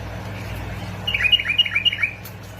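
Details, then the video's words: Bulbul from Basra and Fao, Iraq, in a recording meant to encourage bulbuls to sing; a quick rippling phrase of clear, liquid whistled notes, about six in a row, above a constant low drone. "مقطع تحفيز طيور البلابل على التغريد"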